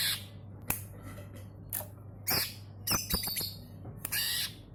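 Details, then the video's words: Greater green leafbird singing actively, used as a lure to set other birds singing: scattered harsh, buzzy squawks and short scratchy bursts, then a quick run of clipped tonal notes, over a steady low electrical hum. "Cucak ijo gacor suara pancingan"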